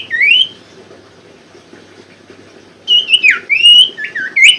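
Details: Common Iora (sirtu) lure song: one rising whistle, a long silence, then a rapid string of looping up-and-down whistled notes.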